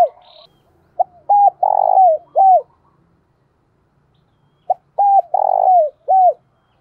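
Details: Decoy spotted dove with a 'thổ đồng' voice style, used to lure wild doves. It gives two cooing phrases about four seconds apart. Each is a short note, two clipped coos, a long throaty coo sliding down, then a final coo.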